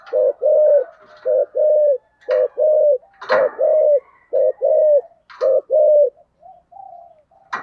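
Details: Early-2023 recording of a decoy spotted dove with a 'thổ' voice giving its 'hai hậu' call. The coos come in paired, rounded low notes, the second of each pair longer, repeated steadily about once a second, with some clicks and knocks in the background.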